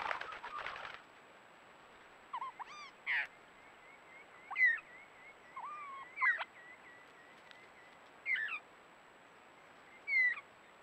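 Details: Pink (Major Mitchell's) cockatoo at a water point on Patchewollock Conservation Reserve, Victoria, Australia, its first visit to a water point in over four years: short quavering, wavering calls every one to two seconds, with a soft rustle or flutter at the start.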